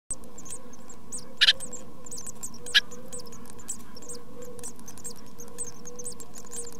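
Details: Tit chicks in their first two weeks of life in a nest box, giving faint, very high squeaks scattered through the clip, with two sharp clicks or knocks and a steady low electrical hum beneath.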